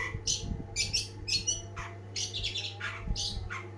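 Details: Cendet, long-tailed shrike, in energetic song: short whistled and scratchy notes alternating with lower downslurred calls, varied and quick, over a low steady hum.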